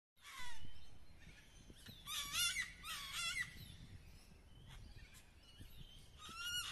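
Sulphur-crested cockatoos give harsh, grating screeches in four or five rough bursts over several seconds, over a steady low rumble of wind or distant noise.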